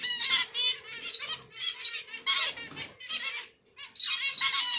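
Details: Zebra finch, known locally as emprit Jepang, in Indonesia, delivering bursts of buzzy, nasal, stacked notes in phrases about half a second long, with short pauses between them.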